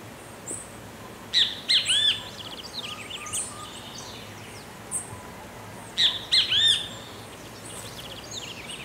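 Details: A great kiskadee (bem-te-vi) in the countryside of Pirenópolis, Goiás, Brazil, gives two loud, ringing three-note 'bem-te-vi' phrases about five seconds apart, with faint high twittering from other birds behind.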